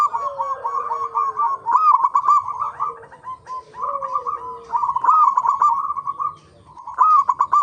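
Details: Lure recording of local zebra doves to set other doves singing: overlapping phrases of rolling, bubbling coos, one bird's lower drawn-out notes weaving beneath brighter stuttering series that repeat across the clip.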